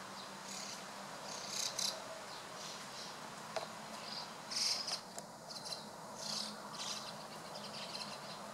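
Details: White-cheeked starlings gathering in a flock, 23 June 2016, late afternoon: scattered harsh, scratchy high bursts from several birds, overlapping irregularly, with a steady low hum beneath.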